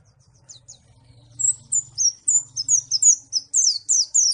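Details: After a few soft opening ticks, a white-eye from Malang launches into a steady, strong series of high downslurred chirps, roughly three per second, with a low hum below.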